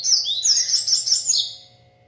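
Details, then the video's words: Double-collared seedeater in full song, delivering a fast chain of bright, high-pitched whistled phrases, sharply slurred and nearly continuous for about a second and a half before trailing off, over a low steady hum. "papa capim coleiro cantando muito"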